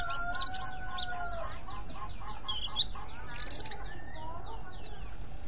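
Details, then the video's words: Mountain white-eye calling to lure other white-eyes: rapid high thin chirps and twittering notes in quick succession, with a steady low tonal hum and a buzzy burst midway. "pleci ngriwik ampuh memancing pleci lain"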